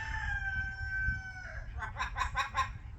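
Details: Parrot making funny noises: a steady, level harmonic tone held for about one and a half seconds, then four quick pulsed, throaty bursts in a rhythmic run, over a low background rumble.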